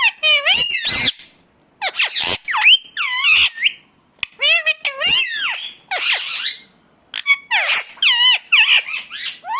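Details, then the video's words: Indian ringneck parakeet heard in natural calls, bursts of harsh screeching and squeaky chatter with wavering, gliding pitch, grouped in several clusters with short silent gaps between them. "ringneck 🦜 natural sound"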